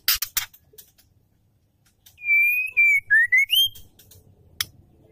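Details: Female Oriental magpie-robin calling to lure a male: a few dry clicks, then a burst of five loud, ringing whistles, the first long and level, the later ones dipping and then rising sharply.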